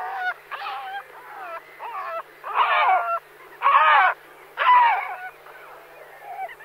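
Great Black-backed Gull giving deep, hoarse, barking notes about once a second, with the louder honks coming in separate bursts.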